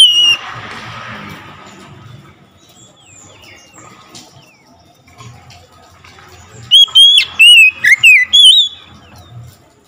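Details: Oriental magpie-robin replying to another magpie-robin: after a brief whistle and a long quiet stretch, a sudden series of six loud, sharp whistled notes sliding up and down near the end.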